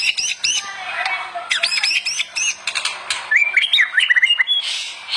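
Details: Murai batu (white-rumped shama) in full song for tutoring other shamas: series of sharp, repeated high chips, then a fast, warbling run of looping whistled notes over steady background hiss.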